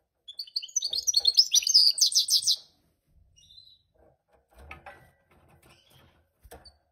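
Goldfinch mule singing a fast, bright burst of twittering, tinkling notes for about two seconds, followed by faint room knocks and rustles.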